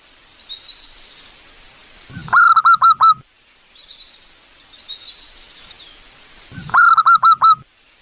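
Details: Zebra dove in the wild giving its manggung song, meant as a lure: two bursts of rapid, throaty rippling notes about four seconds apart, with thin high twittering of other birds between them.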